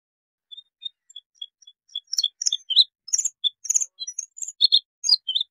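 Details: Bluethroat, a species that winters in India, China, Southeast Asia and Taiwan, singing a varied high song: thin short notes spaced apart, then dense clusters of sharp chirps, trills and metallic notes.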